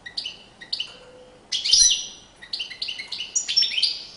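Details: Courtship song of a European goldfinch: short high chirps at first, then a loud run of liquid, jangling twitters and bright whistled notes that quicken toward the end.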